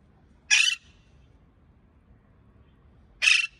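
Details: Pet parakeet giving two short harsh buzzy squawks, nearly three seconds apart, with quiet room between them.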